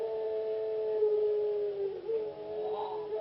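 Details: A captive ringneck dove (puter pelung), a competition songbird from Indonesia, holds a long, drawn-out, hollow coo at a steady low pitch, which dips briefly and then swells upward near the end.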